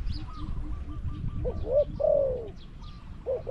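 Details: Spotted dove in a decoy cage luring wild doves at Song Phi Nong. A single full coo phrase, rising then falling, is followed by a short rising note. A faint, evenly repeated higher piping from another bird runs behind it.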